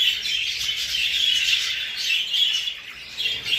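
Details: Several English show budgies, exhibition and hogoromo types, chirping and warbling at once; a dense bright twittering chorus that swells and dips slightly toward the end.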